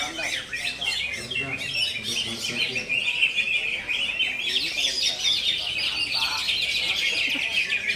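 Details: Greater green leafbird delivering konslet song, a continuous rush of sharp, high chirps and buzzy trills. It thickens into a steady shrill chatter toward the end.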